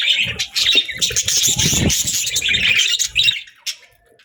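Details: Pet budgies chirp in a quick, scratchy twitter of high notes mixed with low rustling and thuds, fading toward silence at the end.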